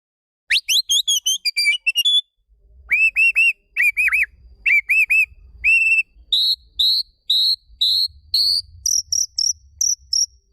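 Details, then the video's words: Magpie-robin training audio for a bird that has stopped singing: clear whistled notes repeated in steady series, shifting from lower doubled notes to higher, thinner pure whistles, with faint low rumble beneath. "Audio Refleksi atau latihan untuk burung murai yang mogok bunyi"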